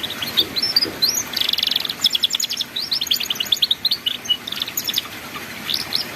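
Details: Canary singing in the ngeriwik manner, recorded as a master for young birds learning song: a quick twittering start, then a harsh buzzy burst, followed by rapid rhythmic trills and sharp high chips.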